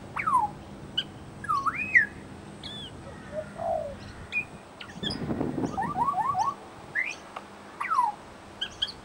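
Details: Australian Pied Butcherbird in suburban Brisbane copying local sounds: varied swooping whistles that rise and fall, a descending slide, a short run of four quick downslurred notes, and scattered sharp high chips.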